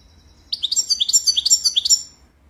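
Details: European goldfinch singing one quick burst of high, tinkling twittered notes, about a second and a half long, with rapid chirps tumbling up and down over a faint low hum.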